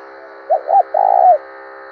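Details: Spotted dove decoy with a 'thổ đồng' voice: one phrase of two short notes and a lengthened mellow coo, heard over a steady buzzy harmonic drone throughout.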